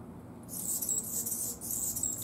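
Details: Anna's hummingbird song, a high-pitched dry scratching and buzzing that begins after half a second of quiet and continues with small breaks, with a soft low rumble underneath.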